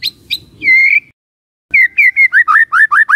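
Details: White-rumped shama song used as a lure for other shamas: two sharp high notes, a drawn-out whistle, a pause, then a quick series of falling looping whistles.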